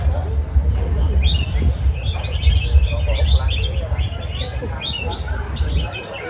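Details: Red-whiskered bulbuls singing at a competition final in Diên Khánh: bright, quick chirped and warbled phrases, high and irregular, over steady crowd chatter and a low rumbling hum.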